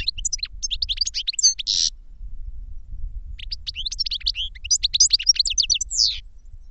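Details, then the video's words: Two phrases of goldfinch song: bright twittering chirps ending in a short buzzy wheeze, a pause of about a second, then another quick run of high tinkling notes. "Goldfinch Song to Educate Newcomers to Their Call"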